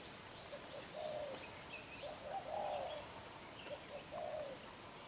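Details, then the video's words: Spotted dove, a young wild-caught bird with black eyes, giving intense 'đập gù' bowing coos: low mellow notes, some short and some drawn out, in uneven phrases over light hiss and faint chirps. "Bổi Tơ mắt đen, đập gù quá dữ chim"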